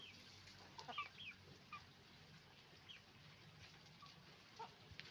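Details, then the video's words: A chicken farm with roosters and hens making noise: a few quick rising squawks near the start, then thinner scattered clucks against constant hiss. "Moment of the sound of a chicken farm, roosters and hens making noise"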